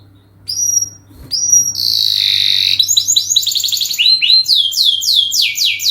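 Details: Canary song used as a lure for training other birds: varied high phrases, a long steady trill, then rapid repeated down-slurred notes about four per second, with a faint low hum beneath.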